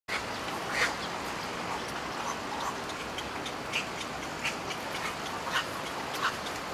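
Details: Black-crowned night heron (Nycticorax nycticorax) chicks being reared at the nest in Taichung Park, Taiwan, on 15 May 2018, give harsh, scratchy clucking begging calls about once a second over a steady background hiss.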